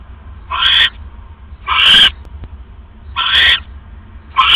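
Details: Nesting owl pair, early morning of 5 October 2015 at 3:40 AM, the male delivering another rat. Four raspy, breathy screeches come at uneven spacing, each about a third of a second long, with a faint click between them.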